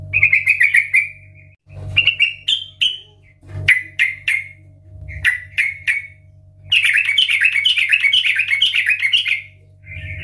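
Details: Loud lure song of a yellow-vented bulbul in the gacor ngeplong style: short sharp notes and chirped phrases, then a long rolling warble, with a constant low hum behind.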